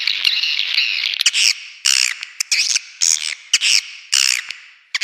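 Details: Swiftlet lure call: loud bursts of shrill, buzzy twittering, each about half a second long, repeated with short gaps and a few faint clicks.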